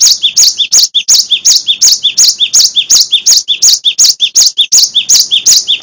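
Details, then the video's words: Gelatik batu, the Cinereous tit, singing continuously in full gacor style, used as a master song for training songbirds. Very regular high double notes repeat quickly, about three per second, throughout the recording. "Gelatik batu Full Gacor Dor , Masteran Glatik Watu Wingko Paling Di Cari"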